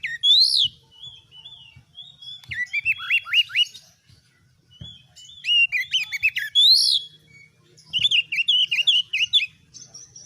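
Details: Gacor oriental magpie-robin singing in a cage to train other birds into fighters: loud upswept whistles alternating with fast trilled runs of hooked notes and high scratchy chatter.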